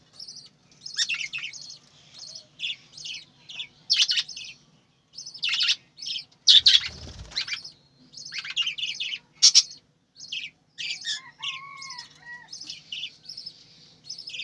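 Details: Captive budgerigars on a bird farm give busy, high warbling chirps in short bursts, some buzzy, some with thin rising and falling whistles near the end, with brief pauses and one louder rasping burst midway.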